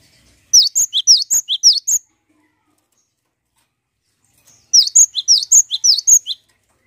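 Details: Two phrases of cinereous tit song, played to coax other birds into singing, each a quick sequence of seven or eight high, ringing notes flipping between two pitches, separated by about two and a half seconds of silence.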